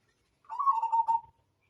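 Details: Majapahit-type zebra dove (perkutut), tutoring recording. One rolling, trilled coo under a second long. It starts slightly higher, then settles into a steady, vibrating tone and ends abruptly.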